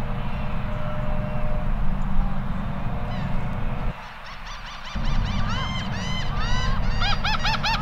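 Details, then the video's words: A pair of Laughing Gulls call to each other on a sunny Friday at Hermann Park, Houston, Texas, USA, giving a rapid series of nasal, arched 'ha-ha' notes that build toward the end, over a steady low rumble of wind. "Gulls laughing together"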